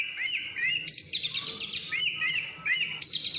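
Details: White-rumped shama singing: clear, looping whistled notes that rise and fall, repeated in quick phrases, with higher sharp whistles between, loud and close over faint background hum.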